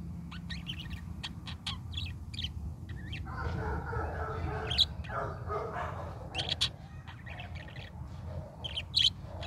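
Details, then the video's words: Chattering morning song of a parakeet, with quick chirps and squeaks throughout, overlapped midway by a person speaking softly, then more chirps and sharp squeaks. "pretty parakeet sings morning song"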